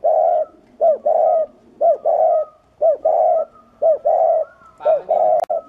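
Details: Loud, clear spotted dove cooing used to train birds, excite males and serve as a trapping lure: steady repeating phrases about once a second, each a short hooked note and then a longer mellow coo, with a faint higher whistle behind.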